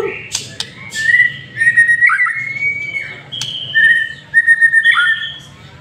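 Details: White-rumped shama giving a lure song of clear whistled phrases, some flat and drawn-out, others wavering, separated by sharp clicks and short pauses.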